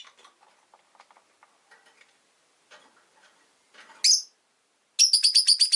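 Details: Caged pet rosy-faced lovebirds in a window-side cage holding five birds. Soft clicks and scratching are followed by one loud screechy chirp, then a rapid string of about eight high chirps.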